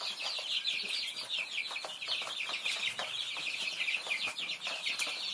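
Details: Baby Thai chicks feeding: a crowded, steady chorus of shrill overlapping peeps from many chicks, with scattered soft pecking and tapping noises underneath.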